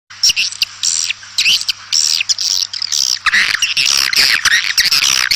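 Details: Swiftlets calling outdoors to gather the flock: dense bursts of high chirps and rapid twittering, short squawky notes repeated almost twice a second with irregular gaps, and a steady low hum underneath.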